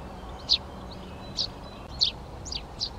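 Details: Eurasian tree sparrow in a Přerov garden, 19 March 2020, as the birds began taking over nest boxes; five separate sharp, high chirps spaced irregularly across a few seconds against a quiet, humming background.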